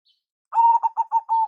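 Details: A brief zebra dove lure phrase from a local-strain bird: one held coo followed by four quick, rounded notes at the same steady pitch.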